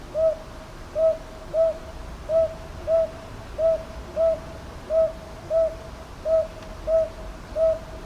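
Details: Northern boobook in Ichijoji, Kyoto, 22 May 2023, hooting a long run of twelve short notes in doubled hoo-hoo pairs with a steady rhythm; TASCAM DR-100MKIII recording, background calm.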